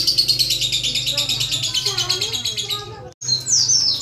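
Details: Lovebird producing rapid high ticking chatter as a prompt for long singing. The buzzy clicking rattle stops abruptly, then resumes with sharp squeaky notes, over a low hum.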